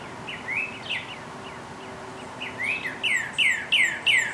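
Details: Wild northern cardinal singing in early spring: clear down-slurred whistles, first spaced and softer, then a louder run of rapid repeated slurred notes about three per second, with faint background hum.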